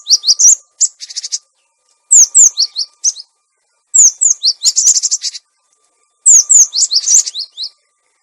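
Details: Clear cinereous tit lure sound, suited to tutoring caged birds gone quiet: four lively phrases about every two seconds, each mixing swept high whistled notes with buzzy rattling churrs, no background noise.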